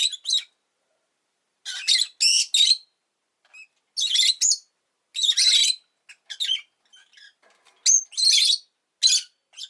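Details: {'caption': 'Rosy-faced lovebird chattering in grating chirps, grouped in twos and threes, with a few faint short ticks between the louder groups.'}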